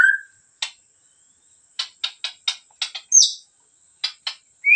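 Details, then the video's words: Medan white-rumped shama (murai batu) in full song. Dry rasping clicks come in short separated bursts, with one high sweeping whistle in the middle and a rising whistle at each end, in otherwise silent surroundings. "Murai Batu Medan Gacor super"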